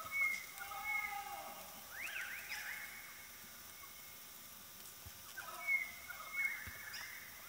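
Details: Sulphur-crested cockatoos foraging through grass give fairly quiet, harsh, rasping squawks in two short bouts, with brief thin whistles from another bird and a low outdoor hiss.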